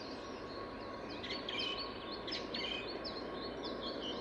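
A song thrush sings short, bright whistled phrases in a quick repeated burst, over a steady rushing background noise like wind or running water.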